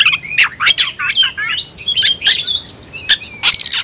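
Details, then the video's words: Agitated Oriental magpie-robin, provoked to fight, delivering a busy song of rising and falling whistles mixed with harsh buzzy bursts, nearly continuous over a few seconds. "membakar emosi kacer, kacer gacor tarung ngobra"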